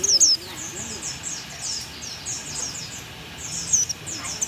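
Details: High, thin chirps and short twittered notes from a Thai oriental white-eye in bongkar isian style, a loud squeak at the start and again near the end, softer chirping between.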